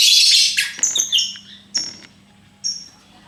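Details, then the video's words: Lovebird kept as a pet giving one harsh, noisy squawk followed by a few sharp, thin chirps spaced roughly a second apart, with a faint steady low hum behind. "Bagaimana cara agar Love Bird mau Ngekek...???"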